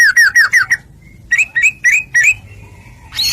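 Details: White-rumped shama song, used as a lure to make other shamas sing: a quick run of falling whistled notes, then four spaced, rising slurred whistles, with a faint low hum beneath.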